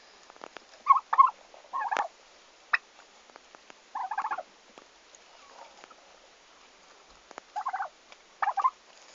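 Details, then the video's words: Turkeys, the first at a farm, recorded on their arrival day, 11 August 2015, give short rough chattering bursts in loose groups of one to three, separated by pauses of a second or more, with soft clicks and rustling between. "Meie talu esimesed kalkunid"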